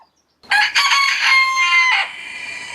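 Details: Rooster crowing between neighbouring homestead cockerels, a warning passed on as rooks or jackdaws fly over the garden from north to south; one loud harmonic-rich crow of about one and a half seconds, broken into several pulses before a long held note.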